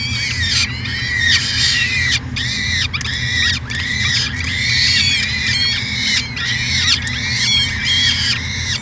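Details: Peregrine falcon, nest cam at the University of Alberta, Edmonton, Canada, 2017: insistent run of harsh, wailing screeches, each about half a second, repeated without pause, over a low electrical-sounding hum.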